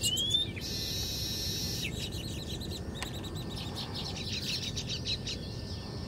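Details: At 6:30 in the early morning in Haryana, India, Baya weavers building nests chatter: a thin rising whistle, a long wheezy buzz, then a rapid jumble of high sparrow-like chirps over a low steady rumble.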